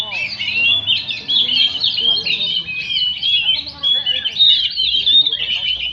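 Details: ['Oriental magpie-robin in steady song: dense, rapid warbling that mixes clear whistles with buzzy trills, hardly pausing throughout.']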